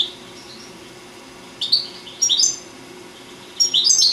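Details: Four-year-old European goldfinch from Sant Salvador de Guardiola, singing: three short bursts of high, bright twittering notes spaced about a second apart, over a quiet low hum.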